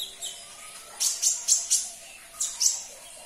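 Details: Olive-backed sunbird (konin), caged, recorded to prompt silent birds to respond; high, sharp chirps in two clusters, four quick notes then two more, over faint background hiss.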